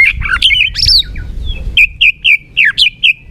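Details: Murai batu lure song for rousing a sluggish shama: a jumble of quick chirped notes, then a regular series of short bright chips roughly every quarter second.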